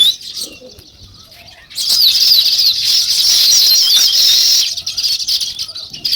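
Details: Sparrows chirping in a busy flock, a dense, continuous chatter of high, rapid twittering notes that swells in after a quiet opening and fades toward the end.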